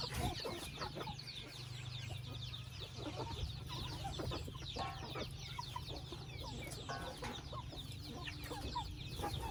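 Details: Chickens in a family house: dense high peeping and scattered clucks over a constant low mechanical hum.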